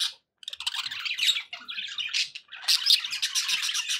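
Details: Pet budgerigars chirping and warbling, an opening burst, a brief silence, then tumbling scratchy notes and a louder run of bright chirps in the final second and a half.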